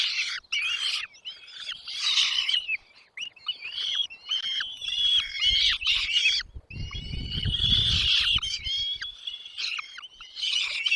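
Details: Chicks in a nest begging while mother and father birds deliver food, giving harsh high cheeping in repeated bursts, with low fluttering and rustling sounds in the middle section.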